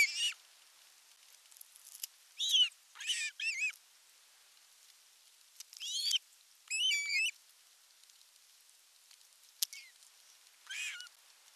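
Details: Nest-cam recording in Western Finland's Satakunta region, July 19, 2022: an Osprey male arrives at nest #1 with a big fish. High whistled chirps in short irregular bursts, some with looping upslurred notes, separated by quiet gaps.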